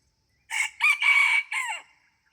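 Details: Morning crow of a red junglefowl while a decoy bird is used for luring. Four clipped, harsh syllables rise and then stretch into a long level note before a drooping last note. There is clean silence around the crow.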